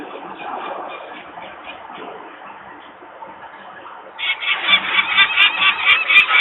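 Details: Peregrine falcon parents screaming by the nest in Włocławek, Poland, 23 May 2022 at 14:51, disturbed by noisy workers nearby, chicks still on the landing. Faint distant calls at first, then a sudden loud burst of fast, grating repeated notes.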